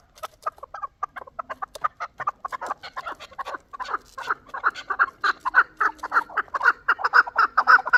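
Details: Chukar partridge of Qavoq, Shurobod, a last year's young bird: short clucking notes, sparse at first, quickening into a dense run of rhythmic chuck calls toward the end.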